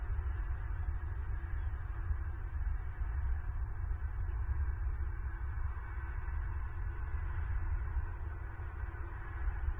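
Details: Constant deep hum with a faint broadband hiss fills the recording, and no animal calls are heard.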